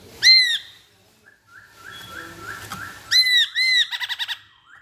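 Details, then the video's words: Masked laughingthrush: loud arched whistles in pairs, separated by a softer string of repeated short notes, then a quick burst of five clipped notes. Faint background hum throughout. "Burung Poksay Hongkong Gacor"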